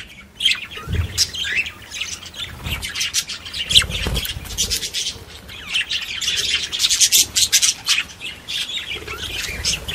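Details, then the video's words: Several parakeets chatter without pause, a busy stream of high, scratchy chirps and squawks with a few low thumps underneath; parakeet. "Chant perruches | Bruit de Perruche"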